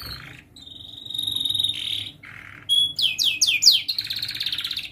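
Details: Young canary practising song for juvenile canaries to learn from: a long buzzy trill, a lower rattle, then loud rapid slurred notes flowing into a sustained rolling trill.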